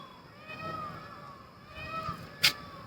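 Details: A distant peacock heard from a rooftop beside jungle in the rainy season gives two drawn-out, nasal, meow-like wails about a second apart, with a sharp click near the end.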